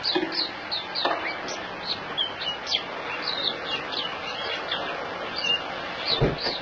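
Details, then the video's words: A dewormed white-eye sings while held in the hand in Singapore, 26 January 2018: quick high-pitched chirps and twitters in a continuous chattering run, with steady broadband background noise and a brief low thump near the end. "Puteh - Buka In Hand"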